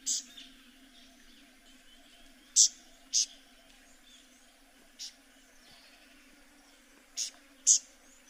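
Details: Tawny-flanked Prinia (Prinia subflava) in Kruger National Park giving sharp, high, scratchy notes, singly or in quick pairs, a few seconds apart, over a steady low insect-like drone.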